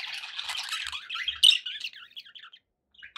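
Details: Pet budgies chattering, a dense scratchy warble of mixed squeaks and buzzy notes that peaks sharply near the middle, then thins into scattered chirps and falls almost silent toward the end.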